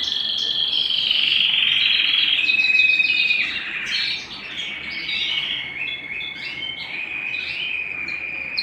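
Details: Canary singing at home, a long varied song: loud fast rolling trills, then a steady sustained whistled tone with quick higher chirps, rapid notes about four per second, slightly quieter in the second half.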